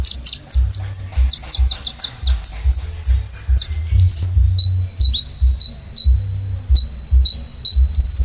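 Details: Kolibri ninja sunbird singing gacor style: a fast series of squeaky downslurred high notes gives way to a steady row of short even ticking notes and a final buzzy twitter, over low hum.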